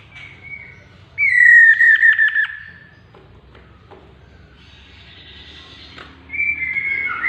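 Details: A chestnut-capped laughingthrush gives a loud, falling whistle that is broken into quick pulses near its end. A quiet pause follows, then another level whistled note comes in at the close.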